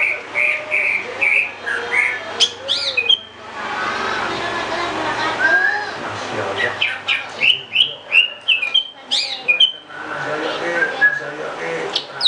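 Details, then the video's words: Varied song of a greater green leafbird: bright whistles, quick slurred chirps and abrupt sharp notes in bursts, separated by stretches of muffled noise and murmuring sounds. "cucak ijo"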